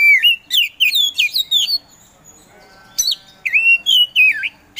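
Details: Kacer, the Oriental magpie-robin, a caged bird praised for singing right away, produces rich down-slurred and looping whistles in quick succession, a short quiet gap, then more swooping melodic whistles.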